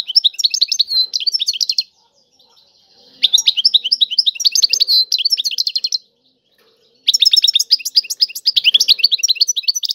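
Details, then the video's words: Goldfinch song of the Tiwawati type, given as three dense bursts of rapid twittering and tinkling high notes separated by short silent pauses of about a second. "اعظم تغريد الحسون طيواواطي"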